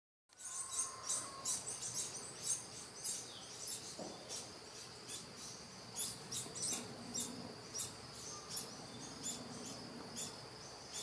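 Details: Hungry yellow-olive flycatcher nestlings in a nest on a coffee farm beg while being fed quickly, with thin, high chirps repeated several times a second, over a steady high insect-like hum and a brief low whistle.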